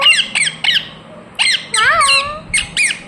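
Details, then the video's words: Pet rose-ringed (ringneck) parakeet, kept as a talking parrot, giving harsh screechy squawks in quick bursts, about six over three seconds, some with a wavering slurred note; faint room hum behind. "Ringneck parrot Naturals Sound"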